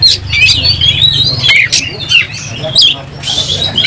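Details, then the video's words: Roused oriental magpie-robin, tail spread while fighting, giving scattered high whistles and scratchy chirps with short slurred notes, over a steady low humming noise. "Kacer gacor langsung tarung buka ekor bongkar emosi"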